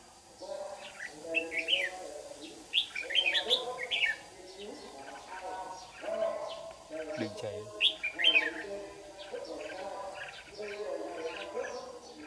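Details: Competitive song of a white-cheeked red-whiskered bulbul used as a lure while trapping wild birds in Đồng Nai, Vietnam, 26 June 2019: bursts of rich, jumbled whistled notes repeated every couple of seconds over a constant low drone.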